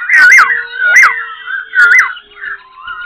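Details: Caged wild-caught Black-throated laughingthrush in Tan Tuc, Binh Chanh, Ho Chi Minh City, singing while fanning tail and wings: three loud whistled phrases about a second apart, each rising then sliding down, with soft clicks and a faint low hum.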